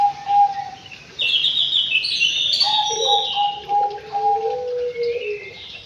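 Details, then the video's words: Song of a white-rumped shama kept in an aviary: a steady low whistle, then a rich burst of high, fast varied whistles and trills, followed by several repeated low whistled notes and a gliding whistle. "BURUNG MURAI BATU DI AVIARY"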